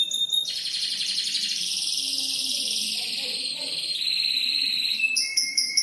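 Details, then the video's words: Canary in a cage, new and old cages mentioned, delivering a dense buzzy sustained trill that slowly drops in pitch, then shifts to a lower rattling roll and ends with short sharp notes. "Kenari Burung Sapari"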